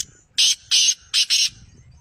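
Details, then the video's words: Black francolin (kala teetar) call, played to make a captive partridge answer: four harsh, hissing, grating bursts in quick sequence, two short ones then a close pair, with no other clear sounds. "Black Teetar Voice/ Kalay Teetar Ki Awaz/کالے تیتر کی آواز/کالے تیتر کو بلوانے والی آواز"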